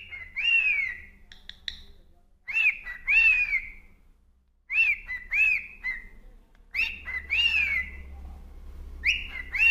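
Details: A cockatiel sings, whistling clear, arching notes in quick pairs, repeating the phrase several times.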